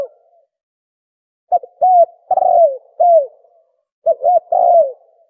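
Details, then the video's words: Spotted dove in the fast 'thổ còi' cooing style, used to rouse other doves: clusters of low hollow notes, short clipped hoots mixed with longer arching coos that drop in pitch, two bursts separated by a brief pause. "Tiếng chim cu gáy thổ còi tốc độ gáy cực nhanh cực chất kích bổi lên nhanh"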